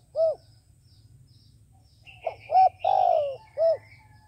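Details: A single short coo from a decoy dove used to draw in wild doves, then after a pause a full phrase: clipped notes, a long falling coo and a short final hoot. A thin high chirping bird is heard faintly.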